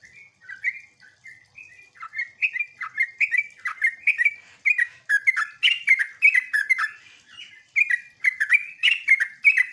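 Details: Lure song of a sooty-headed bulbul, used to draw replies from other bulbuls: a run of quick, gurgling slurred notes that starts sparse and grows into a dense, steady chatter of repeated phrases.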